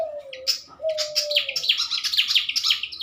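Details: Pied fantails, kept in a pairing enclosure for breeding before release, in the morning: a fast run of sharp, high chirped notes, each sliding up or down, against a steady low cooing from another bird.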